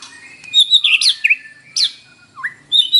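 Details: White-rumped shama song used in the morning to stir a captive bird into singing; rich varied phrases of high whistles, rapid trills and slurred notes, ending with a low rising whistle and a high note.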